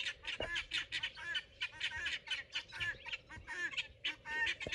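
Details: Pearl guineafowl from a garden flock kept for bug control, calling loudly when excited: harsh, rasping notes in rapid uneven bursts, several birds overlapping with barely a pause.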